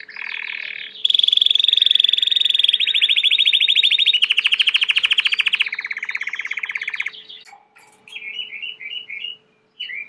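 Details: Belgian canary, a domestic canary, singing a chain of rapid trills. Each section moves to a new pitch and speed, followed by a pause and a few short, lower warbled phrases, with a faint steady hum underneath.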